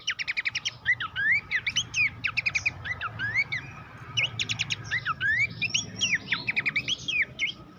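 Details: Horsfield's babbler song prepared as a master for training competition songbirds. Rapid chirp trills mix with swooping whistled upslurs and hooked notes in a steady, energetic stream over a low background hum.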